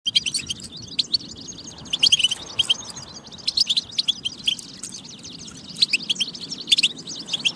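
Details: European goldfinch batba song, played to stimulate goldfinches to sing and get ready; fast dense twittering of high tinkling notes and buzzy trills, with louder bursts near two, six and seven seconds over a faint low hum.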